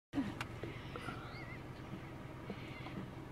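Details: Pheasant coucal at Fogg Dam, Northern Territory, Australia, giving a deep, hollow, rapidly pulsing, low bubbling call while a thin whistled note from another bird sounds faintly above.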